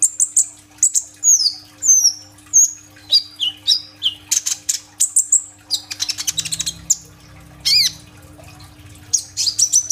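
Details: Sunbird (kolibri ninja) in full voice with 'isian' fill phrases: varied high whistles sliding down through several pitches, followed by a dense buzzy trill and a rising-falling squeal, recorded on a phone.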